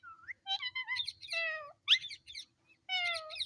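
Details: Indoor talking parrot kept as a pet, repeating a word with nasal, harmonic speech-like syllables, falling glides and a sharp high squeak midway, then another chattering phrase; little background noise.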